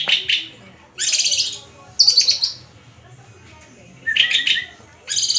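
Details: White-rumped shama (murai) in vigorous song, mixing high shrill rattling bursts with lower chattering notes, phrases separated by quiet pauses of about a second.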